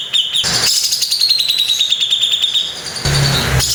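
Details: Harsh 'tembakan kasar' phrase from a Grey-cheeked bulbul (cucak jenggot): one long rapid buzzy trill gently falling in pitch, bracketed by sharp noisy bursts, with a low hum near the end.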